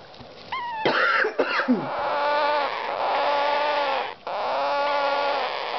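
Young rose-ringed parakeets give drawn-out, nasal, kitten-like calls after a person coughs.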